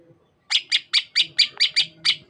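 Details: Greater green leafbird of the Sukamade type from Banyuwangi, East Java, with bright leaf-green plumage; its opening phrase imitates another bird. Eight sharp, descending chip notes come in quick even succession after a brief pause, with a low hum behind.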